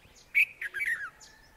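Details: Red-vented bulbul, a black-headed, short-crested bird of neighbourhood scrubland with a white rump and red vent, giving a quick run of bright, chirpy notes: a sharp first note, then a bubbly tumble of three or four falling phrases.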